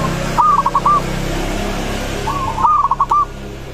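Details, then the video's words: Local zebra dove song meant to prompt other doves to respond: two short rolling coo phrases, several quick notes each, over a noisy hum. "Perkutut lokal suara ini disukai burung perkutut langsung nyaut"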